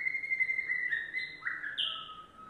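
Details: Yellow domestic canary delivering a fast, even trill, then a drop to a lower rolling phrase and a sharp higher buzzy burst, all within under three seconds.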